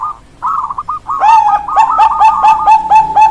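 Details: Bangkok-type perkutut zebra dove song: a bubbling trill running into a rapid string of clear low coos, with overlapping trilled phrases and quick repeated notes.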